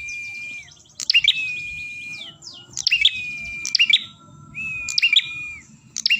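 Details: Ashy tailorbird song used as a lure for trapping birds: a long, steady, high whistled note, then a burst of sharp, rapid chirps, repeated about every one and a half seconds, with a low background hum.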